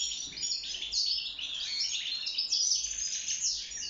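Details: Wild European goldfinch (maqnin) kept in a cage, singing during mating and nest building; rapid liquid chatter with thin, high whistled slurs woven through a steady twittering stream.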